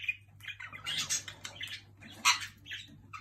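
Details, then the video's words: Pet jenday conure annoying another bird indoors: scattered short chirps and scratchy squawky bursts in quick irregular succession, with one louder sharp note near the end over a low steady hum. "Jenday Conure."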